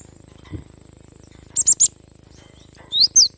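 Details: Energetic cinereous tit, for encouraging lazy birds to sing: a trio of quick, high, sharp chips, a pause, then two rising whistled notes, with a soft low thump early on and a faint hum in the background.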